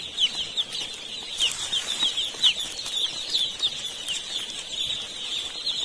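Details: Continuous high-pitched cheeping from many young chicks at a poultry farm in India, sharp falling peeps layered densely, a few louder ones punctuating the steady chorus, plus faint scattered clicks.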